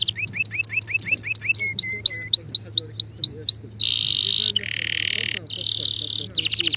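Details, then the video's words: Male canary singing: a tour of rapid paired chirps, then short flat notes, a run of bright upslurred whistles, and buzzy rolling trills to close, over a steady low hum. "canario macho cantando"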